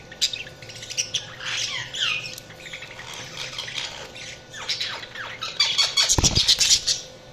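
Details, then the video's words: Budgerigars chattering: rapid, scratchy chirps and sliding notes pour out continuously, about two or three per second, growing into a louder buzzy squawking burst near the end, with a low thump and steady hum. "Budgies Sounds| Budgies Chirping sound"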